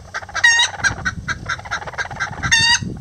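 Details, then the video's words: Lavender bantam chickens, miniature roosters and hen nesting together: loud squawk, then rapid rhythmic clucks about every quarter second, closing with another harsh squawk. "Miniature Roosters And Hen Build A Nest Together | Chicken Sounds Lavender Bantam"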